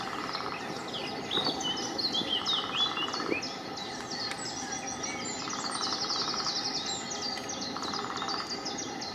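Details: Lesser spotted woodpecker at Diemer Vijfhoek, 30 March 2019: short runs of evenly spaced, high piping notes repeated rapidly, heard among a busy chorus of other songbirds' chirps and trills, with people speaking softly nearby.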